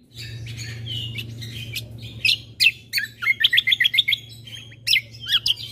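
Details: Bulbul combo song played to excite listening birds: a lively, varied run of high chirps and rapid twittering trills, with loud clipped notes near the end and a steady low hum beneath.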